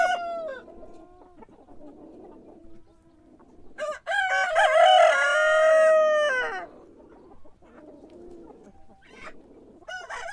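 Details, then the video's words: A cockerel crowing in the morning, one loud drawn-out crow of nearly three seconds at the centre, framed by low clucking and fainter distant crows. "Sonido de gallo por la mañana // Cock crowing in the morning"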